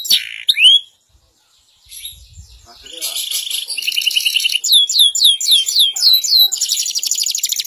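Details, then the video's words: Canary song with a silent gap near the start, then buzzy high trills and a run of looping downslurred notes repeated about three times a second. "Kenari gacor jaman N0w l CANARY BIRD SINGING"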